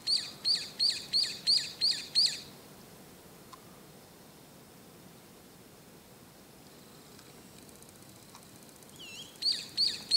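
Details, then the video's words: Early in the morning, around 6 a.m., a brown-eared bulbul perched on an antenna gives seven shrill, high notes in quick succession. It falls silent, then resumes with a sliding squeal and more sharp notes. "ヒヨドリの鳴き声～早朝の鳴き声～Brown-eared Bulbul"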